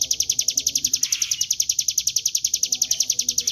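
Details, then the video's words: High, clipped chirps from a Bar-winged prinia, meant as a lure to provoke singing, pour out at about three and a half notes per second in the continuous gacor ngebren manner, very regular and unbroken. "Pancingan bunyi CIBLEK GUNUNG dengan suara ciblek gunung GACOR NGEBREN"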